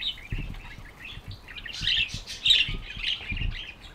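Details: Budgerigar chirping, soft continuous twittering and buzzy warbles over a steady background of low tapping or clicking sounds.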